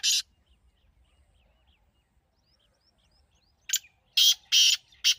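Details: One harsh partridge (teetar) note, a long near-silent gap, then a fresh loud phrase of a short note and three grating, buzzy bursts.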